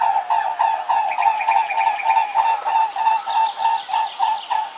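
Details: Swan giving a fast, steady series of nasal honking notes, about three each second, evenly spaced and of the same pitch throughout.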